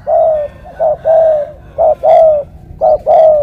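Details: Morning 'thổ cọp' cooing of a spotted dove in Cà Mau, called deep-voiced and pigeon-like: loud, hollow coos in clear separate phrases, a short note followed by longer drawn-out ones that fall slightly, against a quiet background.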